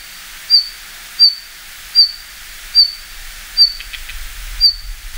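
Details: Red-flanked Bluetail in Japan in winter, when it descends to lowlands and low hills, favours dark wooded forest and holds a territory, gives six thin, high, clipped 'hit' notes under a second apart over a faint low rumble.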